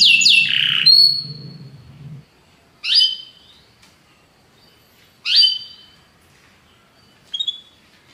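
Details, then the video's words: Belgian canary, described as charming with a very powerful song, giving short separate phrases: an opening rush of sweeping notes, then brief rising whistled bursts about every two and a half seconds with silence between. "belga canário encantador, canto muito poderoso"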